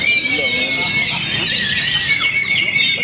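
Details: An oriental magpie-robin, a contest champion, sings a dense run of high, rich whistles and scratchy trills over a steady thin whistle, with other songbirds, people talking and music around it.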